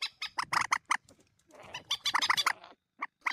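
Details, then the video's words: Common moorhen, known locally as mandar batu, in a recording used as a lure: harsh, clicking bursts in irregular clusters, a short rasping stretch in the middle, then spaced sharp notes. "suara pikat mandar batu"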